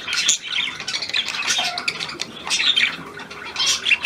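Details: A new hand-tame Australian pied budgerigar keeps up a continuous high, scratchy warble broken by sharper squawks and brief whistled notes.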